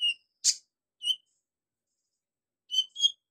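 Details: Van Hasselt's sunbird (kolibri ninja) singing a tutor song filled with imitations of golden grasshopper, lovebird, cricket and cililin: sparse, very high, short chirps and one sharp noisy click, separated by long silences.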